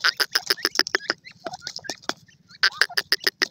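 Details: Grey francolin, sold locally as a Canadian grey teetar, calling: loud, sharp notes repeated rapidly, about three per second. The notes come in bursts separated by softer, scattered chatter.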